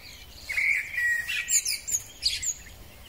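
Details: A male common blackbird sings in spring, giving a short liquid whistled phrase followed by several thin, squeaky high notes against a steady background hiss.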